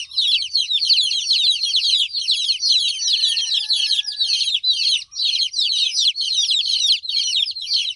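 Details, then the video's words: A group of baby chickens chirping, an unbroken wall of high, slightly downslurred peeps, steady and dense throughout, with a faint thin tone in the middle. "Cute Baby Chicks Chirping Sound"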